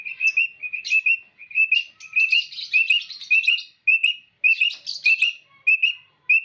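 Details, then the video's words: Quail pair, male and female, heard for luring into traps: rapid high chirped notes in uneven clusters, mixed with buzzy, scratchy twitters and occasional sharp clicks. "SUARA BURUNG PUYUH JANTAN & BETINA"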